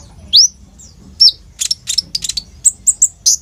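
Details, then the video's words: Kept olive-backed sunbird singing vigorously with fast rolls, a lure to start young birds singing; a single high upslurred whistle, then a cluster of quick clicking notes and short piping chirps. "SUARA BURUNG KOLIBRI NINJA GACOR FULL ISIAN ROLL TEMBAK INI, COCOK BUAT PANCINGAN KONIN BAHAN/IJOAN"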